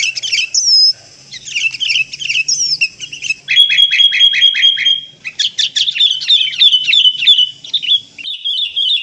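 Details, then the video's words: Sooty-headed bulbuls (Pycnonotus aurigaster), a lure recording: bright, bubbly chattering phrases broken by a quick burst of about ten sharp repeated notes, then lively overlapping whistles. "SUARA PIKAT BURUNG KUTILANG"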